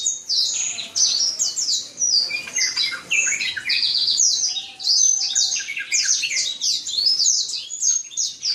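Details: Song of a Black-throated canary (Serinus atrogularis), valued in the songbird hobby for its clear, loud, varied voice. A continuous bright, high warble mixes quick descending sweeps, trills and chirps, with a faint thin tone in the background.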